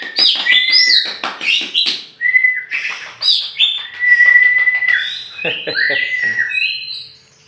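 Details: Champion oriental magpie-robin from Aceh, Meulaboh, tame and released outdoors: fast chattering clicks and harsh notes give way to long level whistles and sweeping slurred phrases in rich continuous song.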